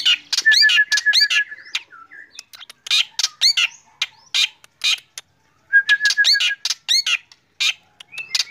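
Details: Morning song of a lively black drongo, with loud fast runs of harsh, rasping notes laid over a level humming tone, interspersed with short whistled phrases and several short silent gaps.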